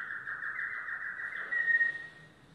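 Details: Yellow domestic canary holding a sustained, even trill that ends in a brief brighter, louder whistled phrase.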